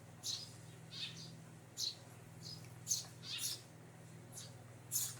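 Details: Eurasian tree sparrow uttering bright, high chirps at irregular gaps of about one second, some doubled, with a low constant hum underneath.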